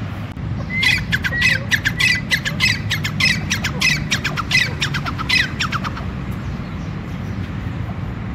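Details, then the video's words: Calling male grey francolin (teetar): a dense volley of strident, repeated, scratchy notes for about five seconds, then the voice stops and only low rumbling background noise remains. "Teetar ki boli | gray francolin voice"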